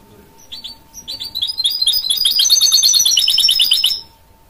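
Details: A goldfinch mule, bred from a goldfinch and a canary, starts with scattered high chirps and then pours out a loud, rapid warbling trill of twittering notes for about two seconds before stopping abruptly; low constant hum behind.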